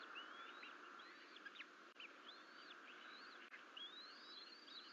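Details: Twin Bald Eagle nestlings at the Fort St Vrain nest, 14 April 2024, alone and crawling from the nest bowl; repeated high squeaky chirps with slurred upward and downward inflections, some drawn out, against constant background hiss.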